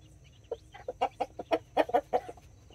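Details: Mother hens with nine chicks, mini chickens and Brahma, kept in a backyard in Colombia: a close, loud rapid series of low clucks, about a dozen in two seconds, with faint chick peeps.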